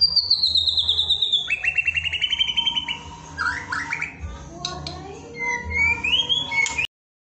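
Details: White-rumped shama fill-in song for stirring up a caged shama: fast buzzy trills sliding down then up, followed by assorted whistles and a rising slur, ending abruptly in silence, over steady hum and low rumble.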